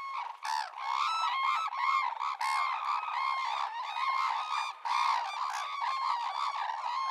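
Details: Red-crowned cranes call in a continuous, overlapping chorus of ringing, honking trumpet notes, rapid and layered throughout, with no other clear sounds.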